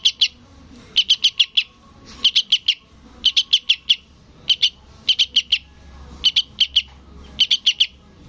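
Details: Fledgling sooty-headed bulbul calling to its parent with eight rapid bursts of three to five thin, high chips, delivered at a brisk, regular pace over a quiet background.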